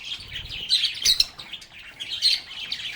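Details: Several lovebirds singing, playing and talking together: dense, overlapping high chirps and twitters with brief louder squeaky bursts near the middle and a soft low rumble early on.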